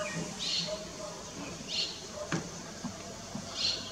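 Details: Three high, slightly buzzy chirps from a striated swallow at Lugu on 30 June 2022, spaced over a second apart, with light clicks and knocks between them.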